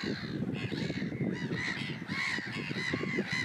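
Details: Common tern in Russia giving harsh, arched, nasal calls with rich harmonics, several in quick succession and overlapping, over a steady low rumble of wind or water.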